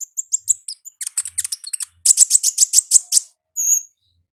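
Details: Olive-backed sunbird singing in the wild: a rapid series of high, sharp ticking notes, about twenty in four seconds, speeding into a steady trill, then a single thin whistle.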